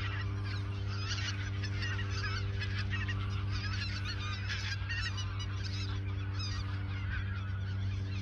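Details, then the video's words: Geese in the Ochsenmoor nature reserve in autumn 2022, a few days before migrating south; many overlapping honking calls from a flock, steady and dense throughout, over a constant low hum. "Geese in the Ochsenmoor nature reserve"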